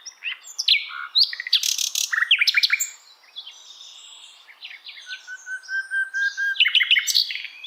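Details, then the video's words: Asian brown flycatcher singing as tutor material for songbirds: tumbling bursts of sharp chirps and squeaky notes, a long steady lower whistle, then another lively run of varied high chirps. "Sikatan londo masteran"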